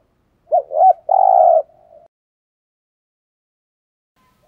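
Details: Spotted dove used as a caged decoy, calling daily to provoke wild males: one short phrase of two quick rising-falling notes, then a longer steady hoarse coo and a faint trailing note, followed by silence.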